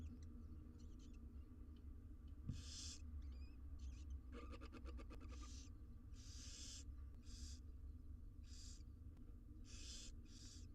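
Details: Six wild barn owl chicks in a research nest box receive food, producing hoarse hissing begging bursts, a quick train of clicking ticks midway, and further hisses every second or so over low hum.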